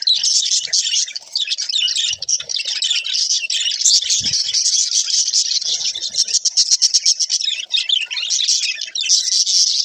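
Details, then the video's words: Budgerigars chattering as they interact, a bright, busy warble of chirps and squawks, with a run of fast ticking notes midway and one soft low thump. "How Budgies Interact"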